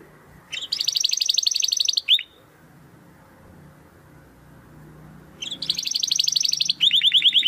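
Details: Domestic canary song for training competition birds: two bursts of bright, rapid trilling separated by a quiet pause with low background hum.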